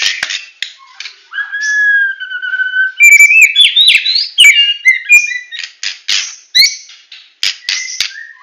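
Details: Medan White-rumped shama in full 'tembakan' song: two long steady whistles held together, then a burst of loud warbling slurs, rasping notes and short rising whistles.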